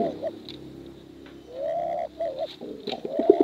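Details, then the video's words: 'Bekuran' coo of male and female pigeons: a quiet, sustained low hum, then a smooth drawn-out coo note, followed by short rising hooked coos toward the end. "Suara Bekuran Burung Merpati"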